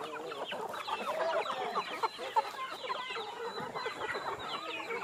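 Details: Backyard chickens being fed produce continuous low clucking and soft trills from many overlapping birds, with a few sharper notes standing out.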